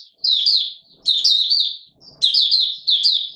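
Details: White-eye singing in warm humid weather, recorded 20 March 2022: three bursts of high, rapid twittering phrases with sliding notes, each about a second long, separated by short pauses, with faint low rustling between bursts.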